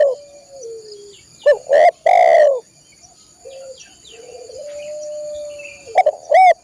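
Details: Spotted dove song for caged-bird training: two loud cooing notes early, then softer drawn-out coos from farther away, ending with a burst of sharp, loud notes; a faint high hum persists throughout.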